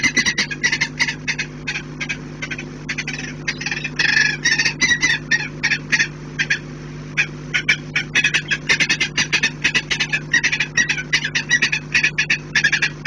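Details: Saker falcons defending their nest with growing intensity and desperation, 11 January 2018, give harsh, rasping alarm cackles in rapid bursts, several per second, over a steady low mechanical hum.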